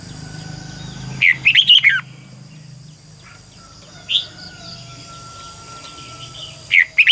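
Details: Red-whiskered bulbul kept as a decoy singer, recorded in the morning in 2020 for training other birds. Three bright, rapidly twisting warbled phrases come at irregular intervals of a few seconds, with quiet chirps and a constant high hum between them.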